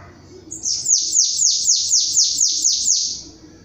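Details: A chestnut-capped blackbird gives its 'batendo belga diferenciado' song, a rapid series of about eight shrill notes that each slide steeply down in pitch, evenly spaced near two per second, ending in a faint trailing hiss.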